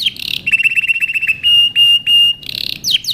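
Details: Canary song for training with a steady run of short clipped notes, then three long level whistles, followed by a buzzy burst and sharp downslurred notes.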